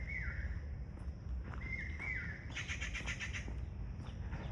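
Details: Indian peafowl, peacocks calling in forest on a morning walk; three short, high wailing notes that slide downward, then a burst of chirping from other birds, over low steady rumble.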